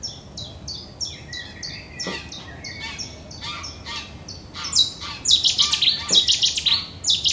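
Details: Cetti's Warbler (nominate subspecies Cettia cetti cetti), recorded in April 2017 at Uitkerkse Polder, Belgium: quick, sharp chipping notes build to a loud, explosive burst of emphatic phrases near the end, over faint background hiss.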